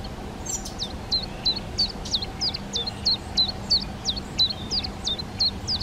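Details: Collared flycatcher at its garden nest site giving a steady series of thin, high whistles, each dropping sharply then levelling off, repeated roughly three times a second over a faint low hum.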